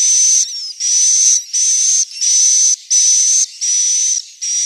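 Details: Swiftlet roosting call, Central Sulawesi: loud hissing bursts, each a little under a second long, carrying a fine high whistled tone, separated by short dips in volume.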